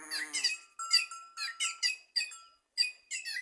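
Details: White-naped jay singing in trees in Simões, Piauí, in Brazil's Nordeste: harsh, squeaky notes in short bursts with a steady whistled tone running underneath.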